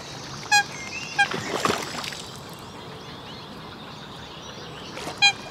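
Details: Eurasian coot of the nominate subspecies, Brussels, Belgium, in May: short sharp clipped notes, one near the start, one a second later, and two more near the end, over steady background noise.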